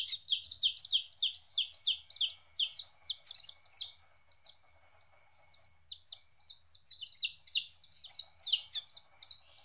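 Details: Chicken chicks aged 14 days, on their first time apart from their mother, peep shrilly in bursts, a short lull midway, then resume; faint low hum and a thin steady tone in the background.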